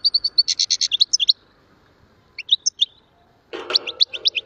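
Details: Evenly spaced high chirps lead into a buzzy trill from a European goldfinch, then scattered twitters, with a burst of background clatter under the final notes.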